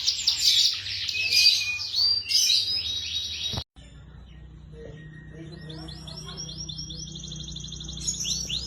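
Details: Young canaries singing: a loud dense twittering burst, then an abrupt cut and quieter, steadier rapid trill rising in steps, with background hum.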